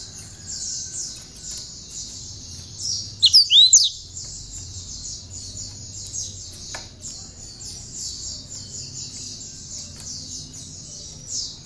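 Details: Captive, hand-reared cinereous tit singing prinia-style (ciblek) content, kept as a master bird to teach others: a long, fast buzzy high trill running throughout, broken by one loud cluster of sharp whistled sweeps.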